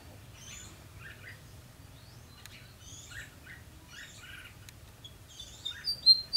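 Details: Red-whiskered bulbul singing at a fighting trap on 12 February 2016. Clear, quick warbled phrases of rising and falling notes repeat about every second, ending in louder sharp high notes.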